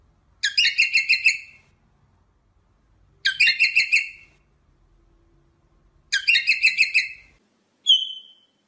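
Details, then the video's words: Rosella repeating a rapid rattling phrase of about six harsh, ringing notes roughly every three seconds, finishing with a single clear whistled note. "SONG ROSELLA تغريد طائر الروزيلا الجميل"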